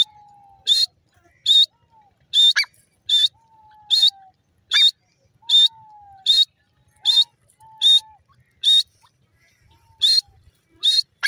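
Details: Grey francolin giving a steady run of loud, harsh, high bursts about every three-quarters of a second, with soft lower whistled notes sliding downward in the gaps.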